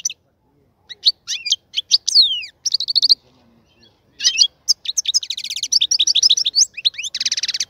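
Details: European goldfinch in a breeding-prepared cage delivering lively liquid twitters and slurred notes, a short buzzy trill, a pause, then a quick tinkling sequence ending in a long rattling buzz.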